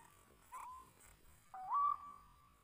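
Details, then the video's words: A white-breasted waterhen in the wild, drawn in by a decoy during trapping, utters two short tonal calls, the second rising and swelling louder before trailing off. "Mikat burung ruak ruak liar"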